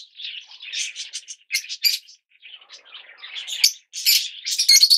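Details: Shrill, raspy chirping from yellow Fischer's lovebirds, in uneven bursts with a short lull in the middle, then louder, harsher squeaks toward the end.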